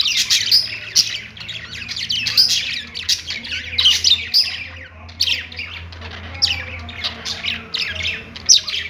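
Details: Perched budgerigars chattering continuously, quick scratchy squawks and squeaky chirps packed together, sharper notes popping out every second or so, low electrical hum in the background.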